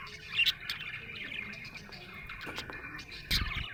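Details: Budgerigar chirping happily with a thinner, scratchy twitter, a loud squeak at the start and a burst of clicking near the end, with low rustling below.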